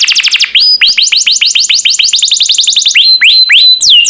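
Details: Canary song recorded as training material for cage birds: quick falling trills shift into slower rising whistles and swooping notes, varied phrases changing every second or so.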